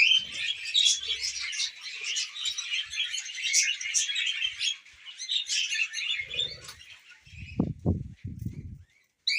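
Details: A group of tamed pet budgerigars eating millet produce a tumbling stream of squeaky chirps and trills that thins out toward the end, where several low hollow bursts follow and a sudden pause occurs.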